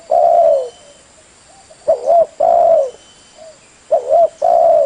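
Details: Lure recording of a spotted dove cooing in repeated phrases about every two seconds, each a short looping coo followed by a longer, even, slightly falling coo, with a steady faint high hiss behind.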